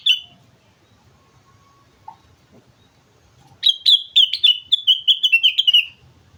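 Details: A sooty-headed bulbul from Mount Slamet gives a lively song. One short note opens, quiet follows, then a rapid run of about a dozen bubbling whistled notes slowly falls in pitch.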